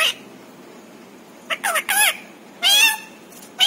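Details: Parrot speaking mimicked words like papa, mummy and Radhe Radhe; a quick run of clipped syllables followed by one louder drawn-out nasal phrase, indoors.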